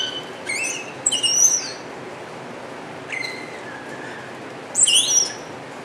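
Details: Singing wattled starling at Avifauna, Alphen aan de Rijn, Holland: clusters of high squeaky, creaky whistles, a thin falling note midway, and a final burst of buzzy chirps.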